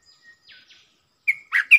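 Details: Wild bulbul replying in song to a caged lure bird while staying away from the cage: faint thin notes first, then a loud rich phrase of three gurgling whistled notes at the end, with no other sound.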